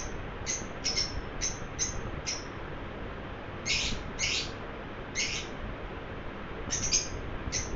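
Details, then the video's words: A happy pet lovebird gives bright, clipped chirps spaced irregularly, sometimes in close pairs, with stronger, fuller chirps midway and faint background hum throughout. "My cute Romeo is chirping happily."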